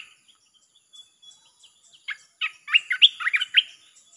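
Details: Red-whiskered bulbul singing in a nonstop chopping style, a recording played to lure wild birds: scattered faint chirps, then a rapid burst of loud, warbled, slurred notes in the final second and a half.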